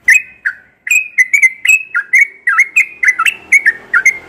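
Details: Yellow-vented bulbul singing in the morning: a lively, bubbly chatter of short liquid whistles, rising and dipping notes strung in quick succession after a brief opening pair, clear against a quiet background.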